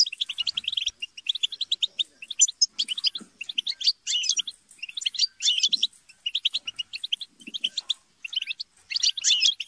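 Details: European goldfinches squabbling and chattering in a group, used to stimulate singing: bursts of rapid tinkling twitter and scratchy notes, repeated with short silences.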